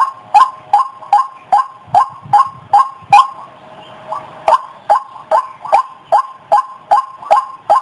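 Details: Lure call of a white-breasted waterhen: a rapid series of abrupt, raspy notes, roughly two and a half per second, broken by a short quieter stretch before the rhythm resumes.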